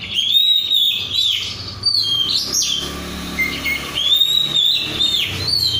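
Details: Kept oriental magpie-robin, untrained, singing vigorously: long clear whistles, level and gently wavering, broken by short sharp upslurs, in a varied continuous phrase.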